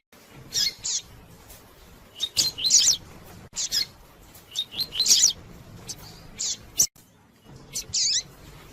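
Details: Double-collared seedeater giving its pure tui tui song, used to heat up a cold bird; paired high chirps and dense twittering phrases recurring several times, separated by short quiet intervals.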